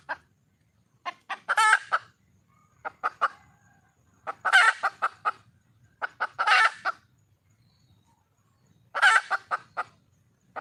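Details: A red junglefowl hen calls for a mate. Loose groups of short clucks surround four loud, raspy squawks that come every two to three seconds, with silent gaps between the bursts.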